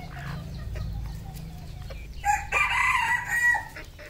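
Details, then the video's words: Farm-kept red junglefowl in Cambodia, a low rumble at first, then a loud, harsh, strained crow runs for over a second with a brief break midway before fading out. "red junglefowl farm Cambodia"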